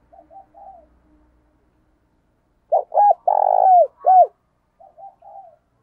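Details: Decoy spotted dove cooing with 'thúc' and 'gáy' calls used to lure wild doves: soft short coos, then a loud phrase of clipped coos around a long burry rolled note, then soft coos again, in quiet surroundings.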